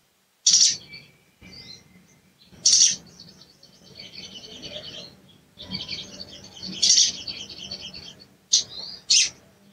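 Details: Sooty-headed bulbul cuit cuit calls used as a lure to provoke a silent bird: sharp, very high chip notes in clusters, separated by stretches of softer buzzy chatter.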